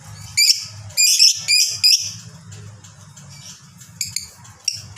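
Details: Fighter lovebird giving ngekek, the long chatter, played to stir other lovebirds into calling: short bursts of harsh, high, rattling chatter, a few separated by pauses, over a steady low hum.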